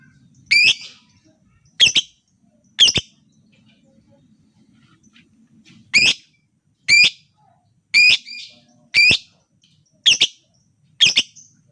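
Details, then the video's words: Lovebird lure sound for stimulating silent birds to sing: short, harsh, squeaky chirps repeated roughly once a second with irregular gaps, each a quick rasping burst, background otherwise quiet. "Pancingan Lobebird cepat/jitu burung Lovebird diam biasa gacor denggar suara ini"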